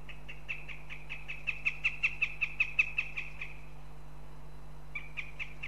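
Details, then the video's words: Female northern goshawk at a nest in Riga, Latvia, demanding food from her partner: a rapid series of sharp, even notes, about six per second, lasting three seconds, then a few softer notes; steady electrical hum beneath. "Female H21 demands her partner"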